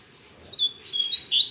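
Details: Double-collared seedeater singing on a Saturday morning, singing a lot but still weakly; a quiet start gives way to short, high chirped notes and thin rising and falling whistles in quick bursts.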